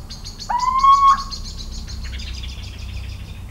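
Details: Little owl singing in central French farmland on 17 March 2019: one bold upward-sliding whistled hoot around half a second long, surrounded by dense high chirping and ticking from other creatures.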